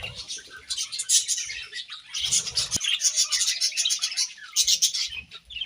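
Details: Budgerigars eating grass, keeping up a thick high chatter of chirps and twittering warbles, with soft low rustling and thumps underneath.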